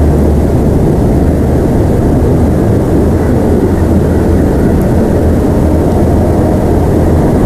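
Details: Steady, loud, low roar like an aircraft or engine fills the whole recording, with no animal sound.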